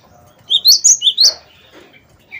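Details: Wingko cinereous tit singing vigorously as a lure for other birds: five ringing whistled notes alternating high and low, followed by faint softer sounds.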